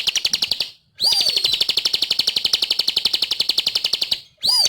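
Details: Ciblek, the Sunda pygmy flowerpecker, singing energetically: fast, evenly pulsed high chips run together in a continuous trill, with brief pauses each followed by a descending whistled note.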